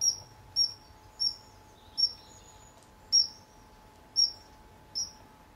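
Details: A young male common kingfisher, visiting and fishing near a hide at RSPB Fowlmere in August 2013, gives seven shrill, piercing high whistles, each brief and about a second apart, over a faint steady hum.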